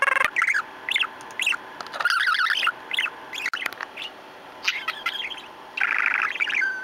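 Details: Pet male budgerigar chattering up close while playing with its owner, recorded 17 April 2014: bursts of scratchy warbles and short rising chirps, with a steady electrical hum throughout.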